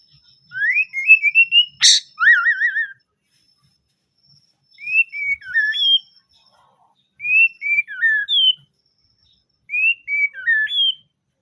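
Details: White-rumped shama in melodious song: four whistled phrases spaced about two seconds apart, each a quick run of rising and falling clear notes with a slurred upward ending, the first followed by a sharp click and wavering whistle.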